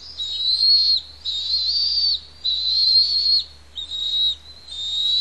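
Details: Feeding time for two Bald Eagle chicks on the Pelican Harbor nest, Santa Cruz Island: loud, drawn-out high whistles about a second each, broken by brief gaps, the last ones shorter and lower.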